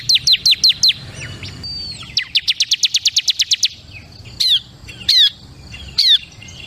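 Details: Crystal-type bar-winged prinia: quick high chips, then a fast, even trill of thin ticking notes, followed by three spaced, louder, harsher buzzy notes.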